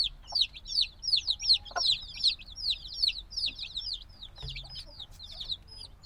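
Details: Little black chickens hatched days earlier keep up loud high peeps, quick downward-slurred chirps crowding together, then thinning and softening toward the end.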